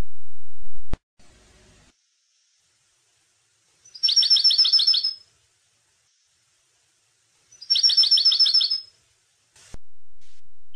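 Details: European goldfinch song for training young goldfinches, two separate rapid trills of clipped, high, metallic notes, each about a second long, with silence between them.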